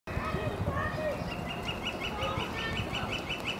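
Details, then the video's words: Northern flicker giving a steady, rapid series of sharp, evenly spaced notes, roughly seven per second, running for about two seconds after a brief quieter start, with some low background noise. "Northern Flicker calling"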